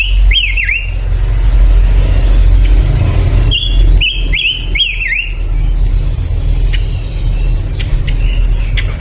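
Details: Male pancawarna bird in energetic song: a looping whistled slur, then a rapid series of three or four rising-and-falling whistles, over loud continuous low engine-like noise.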